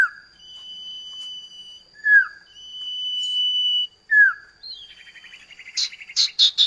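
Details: Common iora song in a duet used as a training lure for kept birds: long level whistles alternate with short downslurred notes, followed by a buzzy rattle and several sharp chirps.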